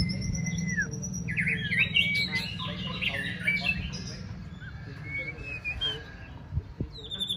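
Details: White-rumped shama, fourth season, in training for a singing contest; long thin whistles, then a jumble of quick warbled notes and sparse whistles, over a steady low hum.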